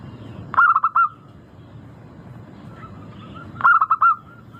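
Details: Zebra dove, local type, lure recording to prompt singing: two bursts of quick cooing notes about three seconds apart, with a faint trailing coo between, over steady low background noise.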